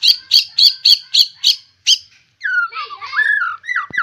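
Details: Fierce fighter-type White-rumped shama with a rich learned song fill: a run of seven scratchy repeated notes, then a pause and liquid whistled phrases that slide up and down.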